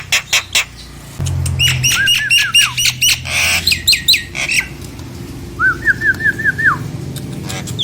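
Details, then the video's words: Lure song of a Nias hill myna, meant to make quiet mynas respond: sharp clicks, a rapid chain of falling whistles repeated about twice a second, a harsh rasp, then a later series of bent whistled notes. "Tempel dan pancingJALAK NIAS ini agar jalak nias yang macet dan malas bunyi lngsung nyaut dan gacor!"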